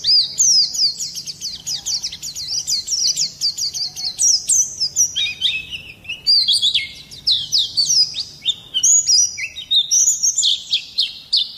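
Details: Vigorous rolling song of an Oriental white-eye, harsh 'nembak' style intended to provoke other birds; long chains of sharp, high chirps, some phrases dropping in pitch, delivered continuously for over eleven seconds.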